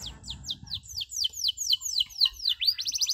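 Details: Canary tutor recording of the "cuit cuit" chirp for young canaries still learning: rapid downward-slurred high chirps, about four each second, ending in a fast, tight run of short notes.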